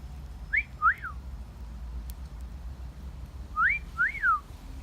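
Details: Two wolf whistles from a parrot in a garden, about three seconds apart. Each has a short rising note and a rise-fall note, clear over a low outdoor rumble.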